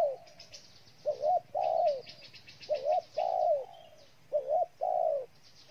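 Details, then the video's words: Spotted dove cooing in Ninh Thuận, Vietnam: a series of low coos, each short note rising and falling before a longer, sustained coo. Faint high ticking chirps from another bird sound in the background. "Cu gáy Ninh Thuận"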